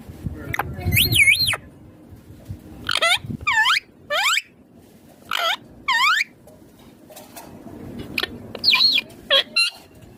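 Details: Pet green Indian ringneck parakeet talking in scattered bursts: arched, nasal, harmonic syllables, some swooping down, others quick and clipped, separated by pauses, with a soft low rumble near the start.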